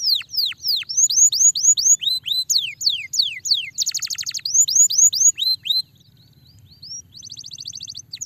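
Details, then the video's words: Canary in full song, meant to stimulate a lazy canary: rapid series of high descending and rising whistled slurs, a dense buzzy trill, more sweeping whistles, a brief pause, then another fast trill, over faint low background hum. "Highly effective at stimulating the sound of a lazy canary"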